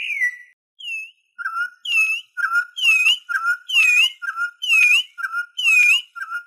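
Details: Song of a Venezuelan troupial, used for teaching birds and attracting others. It opens with a long downslurred whistle, then settles into ringing two-part phrases, a low whistle answered by a higher curved note, roughly once per second.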